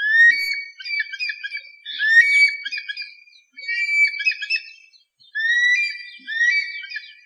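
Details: Eagle calling in four bursts of sharp, whistled notes with rising and falling strokes, clustered and repeated roughly every one and a half seconds, with brief silent gaps between bursts.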